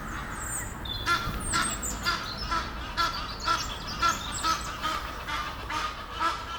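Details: Pair of Egyptian geese perched up a tree near Henley upon Thames, courting and in tune with each other; harsh honking calls repeated roughly twice a second, with a faint steady background hum.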